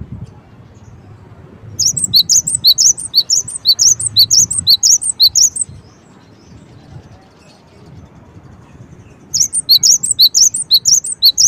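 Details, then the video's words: Cinereous tit calling in a long dense run of high, rapid, sharp chirps, pausing several seconds, then resuming with another fast run; low background rumble throughout. "suara gelatik batu"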